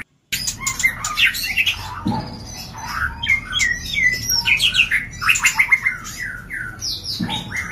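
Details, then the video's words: White-rumped shama mating call used as a lure to bring birds into breeding condition: a dense, varied stream of loud whistles, rapid trills and buzzy notes, with occasional low thumps. "Pancingan Suara Murai Batu Kawin"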